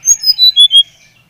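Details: Bali brown-chested jungle flycatcher, used to stimulate other birds to sing: five clear whistled notes stepping down in pitch in under a second.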